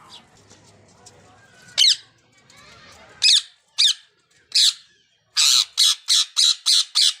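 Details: Ringneck parakeets calling: after a quiet start with faint chatter, harsh shrill screeches come singly, then a fast run of six loud rasping shrieks near the end.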